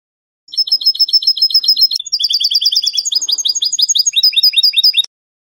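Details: Spanish goldfinch in canto de salón style, from a song recording: a fast, high, tinkling song. A steady repeated note series shifts into buzzy twittered trills and chattering rolls, changing phrases every second or two. Clean background.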